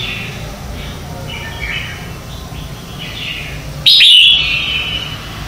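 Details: Morning competition song of a red-whiskered bulbul as decoy training singing: soft chattering warbles, then a loud, sharp, bright phrase that trails into a sustained buzzy tail.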